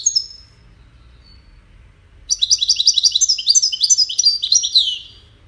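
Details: European goldfinch in a caged song contest of five finches: a brief twitter at the start, a pause, then three seconds of rapid, jingling, high-pitched warbling trills.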